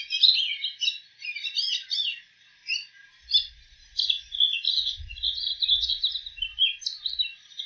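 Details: Bull-headed shrike imitating other species, giving a busy jumble of scratchy high chirps and twitters, with faint low rumbling in the background partway through.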